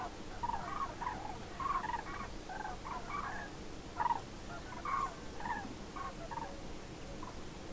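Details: A flock of common cranes on autumn migration, among the first of the season, on 27 October 2017 in Nouvelle-Aquitaine, France, gives distant, rolling trumpeted notes, many overlapping and repeated irregularly over a steady low rumble.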